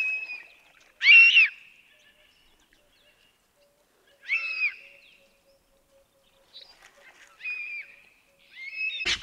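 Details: An African hawk-eagle at Balule Nature Reserve, Kruger area, South Africa, gives shrill, high yelping calls, one roughly every three seconds, with a fainter trailing note and a sharp knock at the end.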